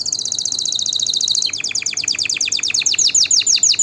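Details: Singing canary, a song for teaching chicks and encouraging breeding: a very fast high-pitched trill that slows midway into loud, repeated, steeply down-slurred notes.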